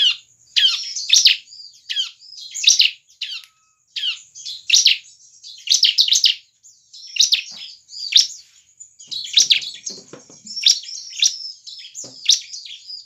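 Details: Bar-winged prinia song meant to prompt other prinias to sing: harsh, high, downward-sweeping chirps delivered in quick bursts about every second, separated by brief silences, over a thin constant high-pitched hiss.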